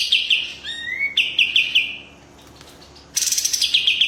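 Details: Pied triller singing a fast "tembak" style song, quick chipping notes and a rising whistle, a burst of rapid sharp notes trailing into a held tone, a pause of about a second, then a loud buzzy rattle returns.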